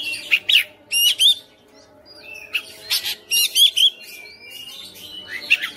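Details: Home-kept Oriental magpie-robin singing eagerly and displaying its fillers: clusters of sharp clicking, ticking notes mixed with short whistles, a quiet gap, then rapid stuttering bursts and a final crisp whistle.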